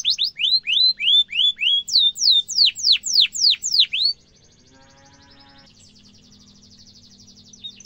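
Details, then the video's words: Lively canary song meant for young birds to learn: rapid repeated upswept then down-slurred high chirps for four seconds, followed by only a faint, soft high rattle and a low hum. "Kenari gacor ngerol tajam suara kesukaan kenari muda gampang ditiru efektif untuk masteran kenari"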